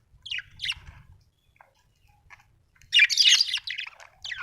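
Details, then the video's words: Happy budgerigar, an Australian bird, giving short scratchy chirps, a pause with faint ticks, then a loud dense burst of harsh chattering and squawky notes. "Happy budgie chirping sound"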